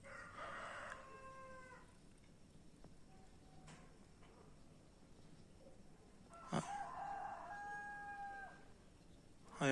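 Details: Cockerel crowing at a distance, heard like an alarm: a short, raspy crow near the start, then a longer, clearer crow that holds steady for about two seconds, with a sharp knock just before it and a thud at the end.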